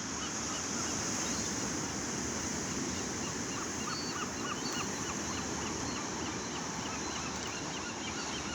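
A crowd of gulls keeps up short, nasal, overlapping cries several times a second over a steady roar of surf or wind.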